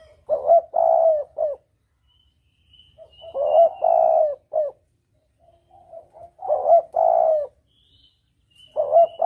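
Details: Spotted dove lure call in the double-kuk style used for hunting: three-part cooing phrases (short note, long coo, clipped ending) repeated about every three seconds, with quiet pauses between.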